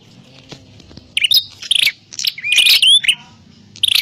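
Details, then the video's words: Prenjak klawu prinia used as a lure for trapping; after a quiet start, several scratchy bursts and one loud phrase with a clear level whistle rising at its end, trailing into softer chips. "Suwara Burung Prenjak_klawu Buwat_Mikat"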